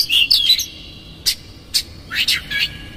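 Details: Lure song of an energetic Oriental magpie-robin meant to agitate a rival into spreading its tail: a few buzzy high notes, scattered sharp ticks, then quick rising-and-falling whistled sweeps.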